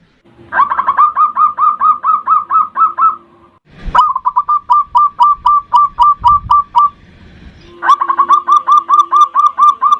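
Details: Local zebra dove singing the 'ndudut' variation, aimed at calling and provoking a rival. Three long phrases of rapid, regular, curling coo notes, with a faint low drone under the first and last and a thump between phrases.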